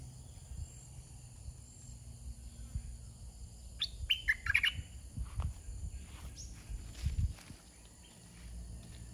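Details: Caged red-whiskered bulbul used as a decoy bird, delivering soft wild-style 'soe' phrases: a short burst of bright, quick whistled notes mid-clip over steady low rumbling background noise.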